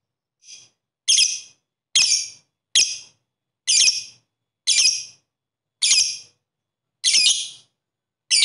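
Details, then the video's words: Lovebird ngetik ngekek song, played to prompt other lovebirds to sing: a series of harsh, high, scratchy chirps, each about half a second long, repeated roughly once a second with clean silence between. "pancingan Lovebird agar mau bunyi Ngetik Ngekek"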